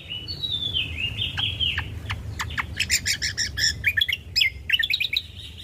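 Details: Ruby-throated bulbul (cucak kombo), in a recording meant to draw out and tutor birds: sliding whistled notes falling in pitch, then a quickening series of crisp chirps and twitters over steady background noise.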